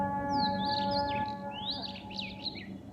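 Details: Bird singing at dawn during Fajr prayer: clear whistled phrases that swoop up and down, two short bursts of sliding notes, over a steady low humming drone of sustained tones in the background.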